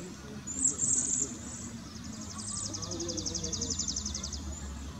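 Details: Cedar waxwings at Homer Lake Forest Preserve, Champaign County, Illinois, USA, on May 25, 2020: thin, very high-pitched trilled notes, rapidly pulsed and overlapping, over a low background rumble.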